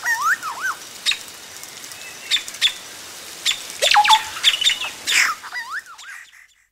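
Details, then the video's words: Yellow-rumped cacique nest close up, chicks calling as adults arrive: sharp clicks and squeaks mixed with looping whistled notes at the start and end, other birds calling around. "Yellow-Rumped Cacique. CU Calls From Chicks As Adults Arrive At Nest."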